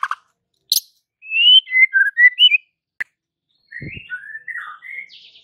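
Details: White-rumped shama singing to provoke rivals: a sequence of clear whistled notes wavering and sliding between middle and high pitch, a sharp click, then more fluting slurred whistles after a brief gap.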